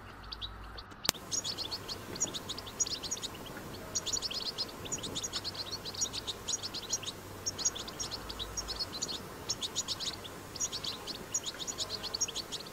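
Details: European goldfinch recorded in the wild performing batbata song, a powerful string of quick, sharp, high twittering notes in clustered bursts lasting several seconds each, after a brief click at the start, over steady low hum.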